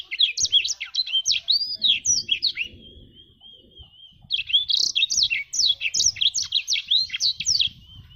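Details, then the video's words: A black-throated canary, known as jabrig, sings two rapid phrases of high twittering notes and downslurred whistles, linked by a long, steady thin whistle near the middle of the recording. "Burung blacktrut jabrig"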